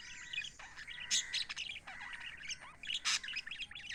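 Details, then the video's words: Lively chirping from pet lovebirds: a continuous jumble of shrill tweets and short squawky notes, with two harsh louder bursts along the way. "Happy lovebirds chirping sound for lonely birds"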